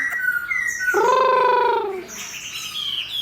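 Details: Caged Chinese hwamei paired with a fighting bird, tail fanned open: short whistles, then a long, harsh, nasal drawn-out note about one second, followed by quick high twittering whistles.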